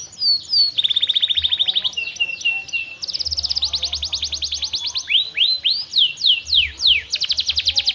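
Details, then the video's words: A canary in full song, kept to coax reluctant canaries into singing, runs through falling slurred notes, a rapid even trill, dense rattling rolls and then loud downward-swooping whistles. "KENARI GACOR Terbukti Cocok Untuk Pancingan Kenari Susah Bunyi"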